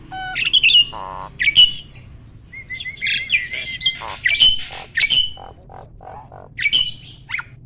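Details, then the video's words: Adult male Asian pied starling at its breeding peak, singing steadily while pumping in display, ready to mate: loud whistled notes and harsh buzzy bursts in short phrases separated by pauses, with a steady low hum behind. "BURUNG JALAK GACOR MOMPA-MOMPA!!! JANTAN TULEN."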